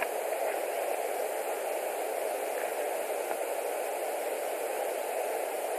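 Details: Steady broadband hiss and static fill the whole stretch, with no calls or other distinct sounds.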